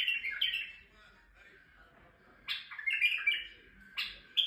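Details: Male white-eared bulbul in Turkey singing to excite females: bright, bubbling whistled phrases in short bursts, with quiet gaps between.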